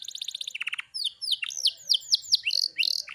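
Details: Canary kept as a cage bird delivers a short buzzy roll followed by a quick series of bright sweeping whistled notes, with a faint low hum in the background.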